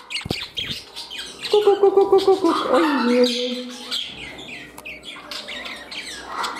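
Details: Captive parrots indoors in a new home, one bird pairing up with another while a rival reclaims its place beside it; a run of steady tonal whistled notes repeated rapidly, then lower harmonic calls, amid scattered squawks and chirps.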